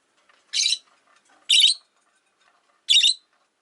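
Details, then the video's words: Three loud, rasping high chirps from a Rosy-faced lovebird kept with four others in a cage by the window, arriving about a second apart against a quiet room. "Lovebird Chirping Sounds"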